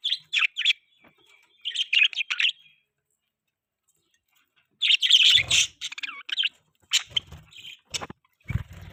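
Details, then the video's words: Budgies in the morning during feeding, giving clear chirps and warbled twitters in two bursts separated by a quiet gap, followed by scattered sharp notes and soft taps. "Budgies chirping sound"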